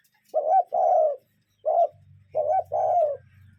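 A cuckoo gives its falling two-note 'cuck-oo', a higher note then a longer, lower one, three times in a few seconds, over a faint low hum.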